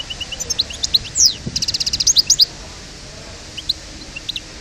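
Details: Parva goldfinch from Souk Ahras in aggressive song. A rush of tinkling, twittering trills and quick rising notes fills the first two and a half seconds. Sparse soft chirps follow, with a single click partway through.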